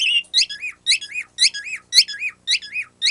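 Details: Pet bird giving its untaught squeaky-toy noise: rapid, evenly spaced high squeaks, each a bright nasal note bending down into a lower curled tail, about two per second, with one sharp click midway.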